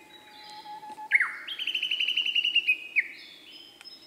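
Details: Song of a male Siberian blue robin: a faint thin whistle leads into a quick descending slur, then a fast, bright rattling trill of repeated high notes, closing with a lower drawn-out tone.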